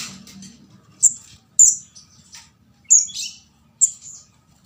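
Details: Young orange-headed thrush (kemade jawa, ndas abang) used as a bird-catching lure, giving four sharp, very high, piercing squeaks spaced about a second apart with soft low background murmur.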